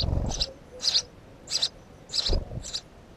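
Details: House sparrow calls: about five sharp, high chirps in quick succession, some doubled, with dull low thumps and handling noise in between.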